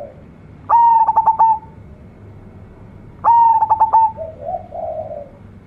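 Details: Young local zebra dove singing: a clear, steady coo broken by quick stuttering pulses, given twice about two and a half seconds apart, the second phrase trailing into softer, lower cooing notes.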